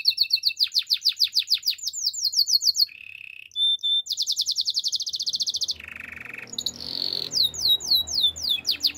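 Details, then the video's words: Belgian canary singing in the morning: a long, varied song of rapid trills and chirps, switching between bright high rolls, buzzy notes and sweeping whistled phrases. "Belgian canary singing in the morning"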